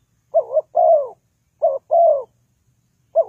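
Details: Spotted dove used as a lure for trapping, giving soft low coos: a quick two-note wavering coo then a longer falling coo, the pair repeated after a pause of about a second, with a quiet, clean background.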